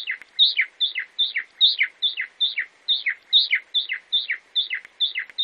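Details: Brazilian chalk-browed mockingbird (sabiá-do-campo) repeating one two-part phrase, a high note dropping into a lower slur, about every 0.4 seconds, roughly thirteen times.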